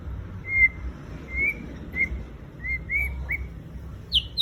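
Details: White-rumped shama lure song, sparse and quieter: a string of short clear whistled notes spaced about half a second apart, ending in two sharp high notes, over a steady low background hum.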